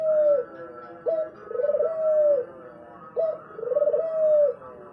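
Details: Spotted dove song of low, mellow coos: each phrase opens with a brief abrupt note, then a drawn-out trembling coo that swells and fades. Two full phrases are heard over a soft, steady background hum.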